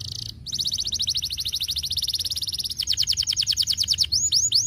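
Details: Canary song for stimulating lazy canaries: a short buzzy burst, then a long fast trill of crisp repeated notes that slows into broader downward slurs and ends with curved whistled notes.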